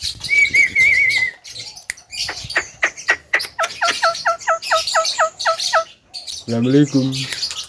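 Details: Lively Javan myna song: a wavering whistle, scattered clicks, then a fast even train of paired chips, ending with a harsh, rasping, nasal burst.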